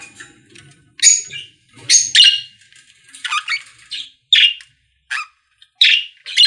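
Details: Pet-store budgerigars singing in short separate bursts of sharp, squawky chirps and buzzy notes, roughly one every half second, with quiet spaces between.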